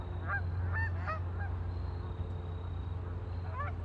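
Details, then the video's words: Ducks on a lake calling in a quick run of nasal honks near the start, then a pause and one more short burst, over a constant low hum. "Ducks on a lake for relaxing sound"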